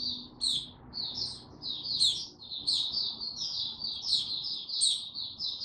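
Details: White-eye male, 6 March 2022, easing toward full song: clusters of high, tumbling chirps about once a second, with sharp bright squeaks and a faint low background hum.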